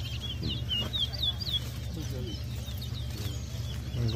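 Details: Chestnut-bellied seed finches (towa towa) in a singing race at Lusignan bird ground, Guyana, sing rapid sweet whistled phrases with notes sliding up and down and overlapping, over a low hum and background voices.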